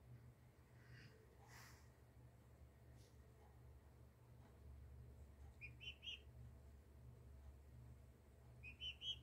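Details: Turkey poults, two weeks old, with a faint, mostly quiet stretch, then two quick clusters of thin, high whistled peeps, three or four notes each, over a constant low background hum.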